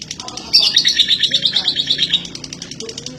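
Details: Female lovebird from East Lampung, Indonesia, kept as a long-duration singer: after a brief lull, a burst of shrill, rapid chattering trills pulses steadily, high and scratchy, fading toward the end amid faint background sounds.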